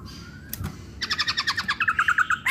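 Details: Masked laughingthrush uttering a rapid series of short chirps, about ten per second, growing louder toward the end, after a faint whistled note and a knock.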